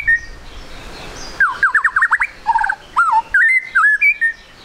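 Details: A lively spotted 'trotol' white-rumped shama, used as a lure for quick singing, opens with a single whistle, then a rapid string of slurred whistles, a low warble and looping rising notes.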